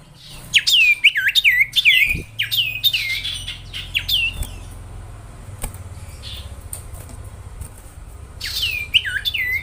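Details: Sirtu singing a lively master song used to train other songbirds: clear whistled notes that slur sharply downward, repeated in quick bursts, a quiet gap, then the bursts resume, over faint low background noise.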